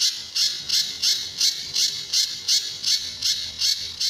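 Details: Sunda bush warbler master song, tembakan and besetan style, for tutoring other birds: eleven loud rasping high notes at a steady, slightly slower pace, about every third of a second.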